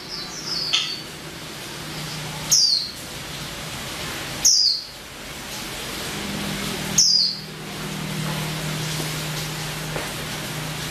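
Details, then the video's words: Female white-eye (pleci) giving four brief, sharp, high chirps that slide downward, spaced about two seconds apart, over steady hiss and a low hum. "SUARA KICAU BURUNG PLECI BETINA"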